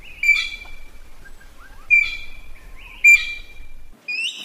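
Red-billed blue magpie giving four harsh, rasping screeches about a second apart, each with a sharp rising squeal, and soft twittering notes in between.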